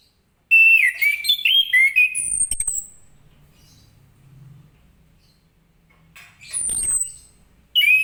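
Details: Orange-headed thrush singing 'ngeplong' in the morning to set other birds singing: a quick burst of varied whistles, a high falling squeal, a long soft lull, another high sweep and a final whistle.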